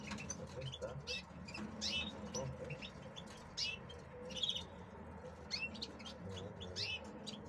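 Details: Male European goldfinches being conditioned in captivity to reach breeding condition before the breeding season; quick, high twittering chirps and short rising and falling whistled notes in irregular bursts, over a steady low hum of room noise.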